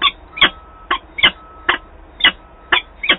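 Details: Harsh, grating calls of a female peregrine falcon arriving back at her nest, Wałbrzych, Poland, 26 April 2022; about eight notes spaced unevenly at roughly half-second intervals, a thin steady tone faintly audible beneath.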